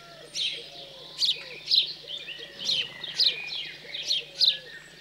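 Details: Recorded 15 June 2020 in chilly rural central France, house sparrows at the post-fledging feeding stage give a run of harsh chirps at uneven intervals, with quieter whistles of other birds below.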